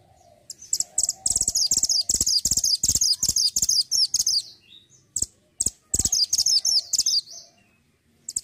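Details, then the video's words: A mantenan gunung used as a master bird for songbird training sings long bursts of very high, fast, scratchy twittering notes. A brief pause breaks the bursts before the chattering resumes. "BURUNG MANTENAN GUNUNG GACOR ,BURUNG MASTERAN YANG SANGAT MANTAP UNTUK MASTERAN BURUNG KICAUAN"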